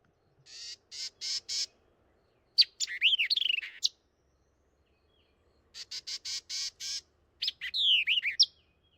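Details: A White-eyed Vireo sings two emphatic phrases, remembered as 'beer check', each a run of four or five sharp, scratchy notes ending in quick slurred whistles, high-pitched and repeated after about five seconds.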